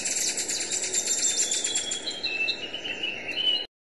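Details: Western hemispingus (Sphenopsis ochracea) song: a thin, high, rapid stuttering trill that shifts into a few sharper whistled notes, over steady background hiss.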